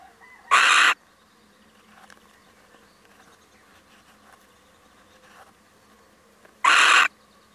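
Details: Male little owl stopping by gives two harsh, broadband screeches roughly six seconds apart, with faint soft sounds in the quiet between.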